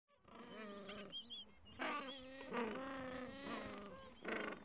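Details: Gentoo penguin chicks about two weeks old, sheltering under their mother in cold wind, give harsh, nasal, braying calls in several bursts over a few seconds, rich in overtones and rising and falling in pitch.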